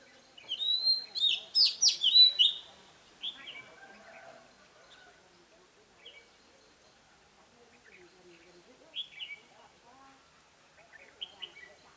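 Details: Decoy red-whiskered bulbul singing ché-style song meant to provoke rival birds: a loud rapid burst of bright chirped and whistled notes, then sparse softer notes and pauses in a quiet setting.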